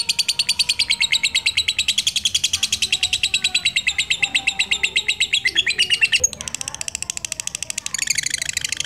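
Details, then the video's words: Black-eyed lutino lovebird singing ngekek to lure and stimulate other lovebirds. A long, even run of rapid buzzy chattering pulses lasts about six seconds, breaks off briefly with a sharp click, then resumes at the same quick rate. "Senang Lovebird Lutino Mata Hitam - Pancingan lovebird ngekek"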